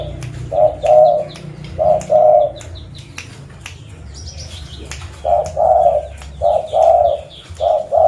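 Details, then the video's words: Local zebra dove recorded in Pidie, Aceh, used as a lure to attract other birds; soft low trilled coos in paired phrases, a group of two then a longer run of four, with faint chirps of other birds and low background hum. "Burung Perkutut Lokal Pemikat Suara"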